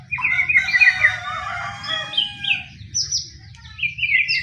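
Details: White-rumped shama song meant to provoke rival shamas to sing; a dense burst of warbled, overlapping notes, then spaced high clear whistles and short rising slurs.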